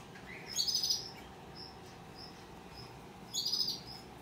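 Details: A hand-tame opaline rosy-faced lovebird chick gives two shrill, raspy bursts of chirping about three seconds apart, with soft high peeps in between, over a low indoor hum.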